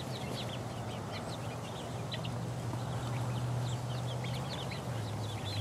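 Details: Chicks of four weeks pecking around give quick, high, short peeps, roughly three per second, scattered and overlapping, over a strong low droning hum.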